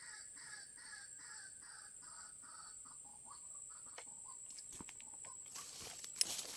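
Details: White-breasted waterhen (Amaurornis phoenicurus) call used as a trapping lure: harsh, croaking notes repeated about twice a second, then trailing off, over a steady high insect-like whine and a few clicks.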